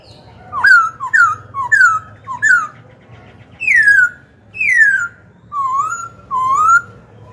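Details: Loud, ringing song of a black-throated laughingthrush used to incite rival birds to fight and to teach young birds: four quick downslurred whistles, two long falling notes, then two gently rising whistles.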